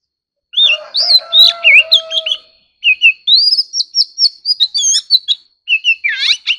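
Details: Competitive song of an Oriental magpie-robin: varied loud whistles and slurred notes over a low sustained tone, a short gap, then fast repeated bright whistled phrases and a closing cluster of tumbling sweeps.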